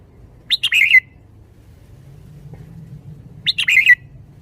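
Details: Red-whiskered bulbul performing its 'khayao khuat' (bottle-shaking) song style: two brisk warbled phrases three seconds apart, each starting with a couple of sharp upward notes and ending in a rolling, slurred whistle, with a faint low hum between.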